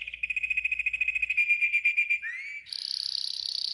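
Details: Yellow canary in a training song, a fast rolling trill, a rising whistled slide, then a very rapid high pulsed trill.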